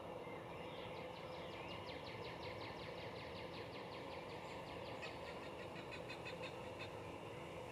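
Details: Cooper's hawk calling while perched and preening: a long, rapid run of harsh, evenly spaced notes repeated several times a second over steady background hiss.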